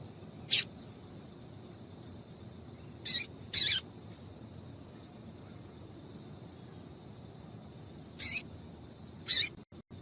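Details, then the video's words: Female Double-collared seedeater piping that prompts males to sing: sparse high chirps, single and paired, separated by long quiet gaps over a steady faint hum. "Piado de Fêmea de Coleiro para Esquentar Coleiro"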